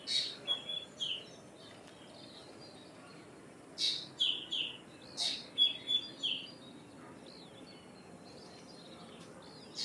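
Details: Common myna calling in spaced bouts of sharp rasping notes mixed with bright level whistles and rapid slurred notes, with quiet gaps of light hiss between them.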